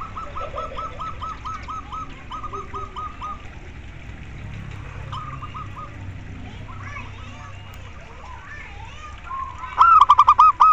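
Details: Local zebra dove (perkutut) song, played as therapy to spur lazy or stalled doves into singing sooner; quick stuttering series of short, even notes, then a louder clipped burst near the end over faint background noise.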